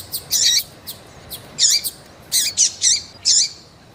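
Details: In-heat female double-collared seedeater from Brazil calling insistently. Sharp, high peeps come in short clusters, several notes with a downward hook, about five bursts in four seconds over faint background hiss.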